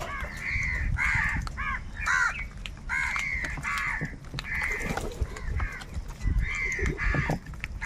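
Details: Huge crowd of crows fighting over food, harsh cawing almost nonstop from several birds, calls overlapping in uneven bursts.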